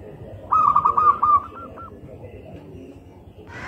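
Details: Single phrase of local zebra dove (perkutut) song: a quick, stuttering run of soft coos trailing off into a longer final note, followed by quiet hiss and a short rustle.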